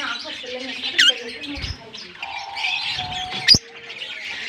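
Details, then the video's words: Continuous thin chatter from a colony of African lovebirds, with two sharp squeaks at about one and 3.5 seconds and some low background sounds. "African lovebirds colony"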